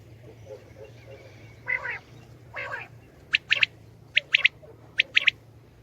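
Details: Calling common quail (batair): after a few harsh, lower squawking notes, three crisp groups of sharp triple notes ring out about once per second, over a soft low background hum.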